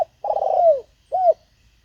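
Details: Decoy spotted dove calling to lure wild doves: one long, slightly rough coo that slides downward, then a short, clear, arched hoot a half second later.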